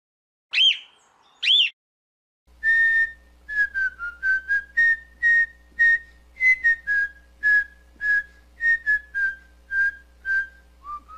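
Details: Cockatiel song: two high whistled chirps, then a faint hum starts and a long steady series of short clear whistled notes follows, each about half a second, mostly level with small dips and rises.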